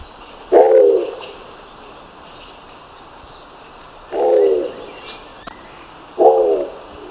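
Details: Nicobar pigeon giving three short, low, grunting coos with a wavering quality, spaced irregularly over seven seconds, against a faint background hiss and a steady high tone.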